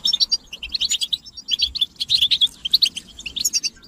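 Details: Group twittering of European goldfinches, offered as stimulation to make a quiet male sing; rapid high liquid chirps and trills packed into quick bursts, about a hundred notes a minute.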